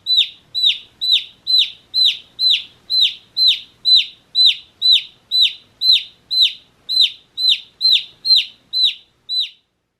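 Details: One-day-old baby chicks chirping: loud, clear arched peeps repeated steadily about twice a second, each dipping in pitch at the end, with no other sounds.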